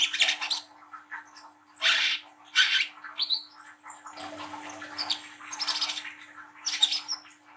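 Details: Young brown-throated sunbird with speckled plumage, singing as a lure for young birds. Harsh, high chirping bursts come irregularly, mixed with fainter twittering, across nearly eight seconds.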